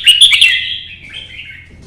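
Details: Red-whiskered bulbul, Vietnam, singing to challenge rivals in competition: a quick sharp chatter followed by a long slurred whistle fading slowly downward.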